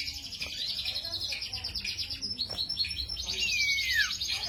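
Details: Cito bird singing, a song offered as a lure or master recording for training other songbirds: a long run of rapid, high, scratchy chattering notes, then a clear whistle sliding steeply downward, with faint human voices behind.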